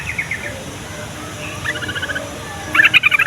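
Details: Yellow-vented bulbul song meant to get young or silent bulbuls calling: soft runs of quick notes at first, then a loud, rapid, bubbling burst of about seven notes at the end.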